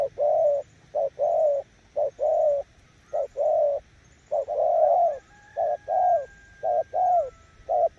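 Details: Spotted dove decoy from Kon Tum, cooing in the nước gù style. A run of soft low coos in short-long pairs, about one a second, with a faint thin whistle in the background midway.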